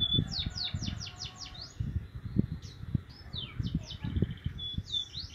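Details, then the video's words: Javan munia chick practising chirps: a quick burst of high, slurred notes, then scattered thin chirps and a short trill, with low knocking noises below. "anak emprit kaji belajar ngeriwik"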